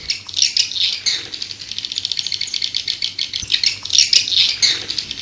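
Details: Swiftlet twittering: fast, rattling series of high, buzzy chirps pulsing in waves, louder at the start and near the end.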